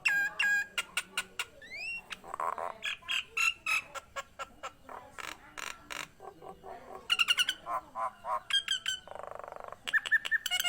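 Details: An actively singing Nias hill myna, recorded to stimulate and tutor other birds, delivers rapid clipped clicks and rasps mixed with brief steady whistles, a rising slur, and harsh buzzy bursts in irregular rhythm.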